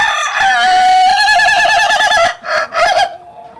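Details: Loud laughing crow of an Ayam Ketawa rooster: a rising opening, a sustained, rapidly pulsed warbling stretch, then two short separate hiccup-like syllables at the end.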